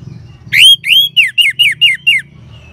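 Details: Orange-headed thrush song used to prompt caged birds to sing: one strong opening note then seven short, repeated descending whistled notes at a quick, even pace, with faint low background hum.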